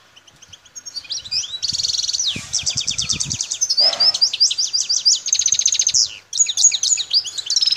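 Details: Goldfinch of the parva form, wild-caught sound from Bouthelja, El Tarf, Algeria, pouring out a long stream of tinkling twitters, descending slurs and dense buzzy trills.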